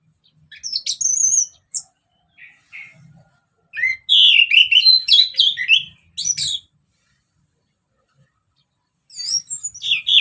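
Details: Orange-headed thrush singing in ngeplong style, used as a lure to stir other birds: bursts of varied, high, warbled and whistled phrases, some sliding up and down, separated by short pauses and a long silence before a final burst.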